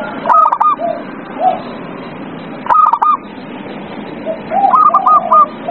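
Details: Zebra dove song for tempting an unwilling dove to sing: two sharp stuttered coo bursts followed by a longer run of evenly spaced ringing notes, softer low coos in between, steady hiss throughout.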